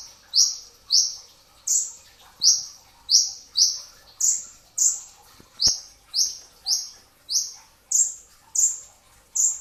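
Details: Brown-throated sunbird (kolibri ninja dada coklat) recorded at sahur before dawn for training, delivering 'tembakan rapat' song: around sixteen shrill, high notes fired in quick succession, one faint click midway.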